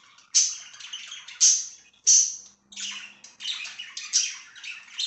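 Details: Budgies kept as pets, recorded 24 September 2024, give loud bright chirps followed by dense buzzy chatter. Three strong chirps open the passage within two seconds, then a quieter, faint low hum sits beneath.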